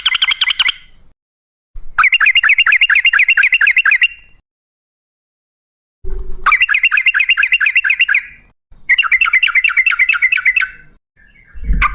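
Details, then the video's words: Yellow-vented bulbul in long 'ropel' song, used as bait so other bulbuls start singing: long, fast, rolling runs of chattering notes lasting several seconds each, separated by silent pauses. "Suara trucukan gacor ropel ngalas buat pancingan trucukan agar bunyi"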